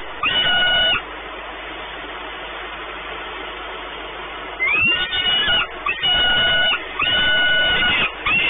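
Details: At a peregrine falcon nest at Orlen in Płock, Poland, on 28 May 2019: one harsh, level wail, about four seconds of near quiet, then a fresh burst of rising-then-steady wailing calls.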